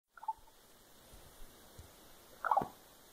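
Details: Common raven in a tree in Fox, Alaska, on 7 April 2020, giving soft liquid droplet-like musical notes, a brief mellow tone then a fuller gurgling burst, while another raven tore apart an old hornet's nest; such trilling is common locally.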